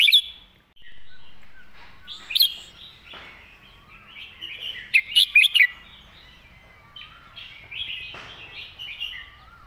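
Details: Red-whiskered bulbul performing its 'mae bot' master song: scattered sweet warbles, then a rapid run of four loud, bubbling whistles near the middle. Fainter upslurred whistles from other birds and light background noise continue throughout.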